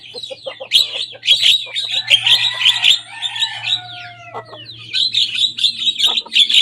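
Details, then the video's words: Young Javan myna singing energetically and copying rivals' songs: harsh, scratchy chattering bursts, then a few long descending whistled slurs midway, before dense raspy notes resume. "Jalak kebo muda gacor bongkar suara lawan."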